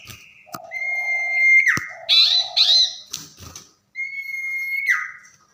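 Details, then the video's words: Tame common iora in lively night song: a level whistle dropping at its end, brief buzzy rising notes, a low soft hum, clicks, then another long whistle with a downward tail. "Burung Sirpu/cipoh jinak gacor saat di malam hari"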